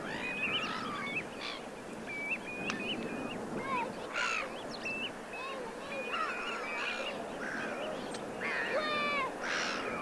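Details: Common linnets call on a beach at Pointe de Penvins, Morbihan, France, 28 September 2022 (autumn): quick twittering notes and short whistles, several birds overlapping, over surf or wind, with faint calls of shorebirds behind.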